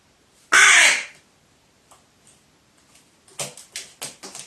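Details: A crow reacting furiously on 15 April 2019 after being shown wild bird feathers: one very loud, harsh, raspy caw, a pause with faint rustles, then a rapid burst of five shorter harsh caws.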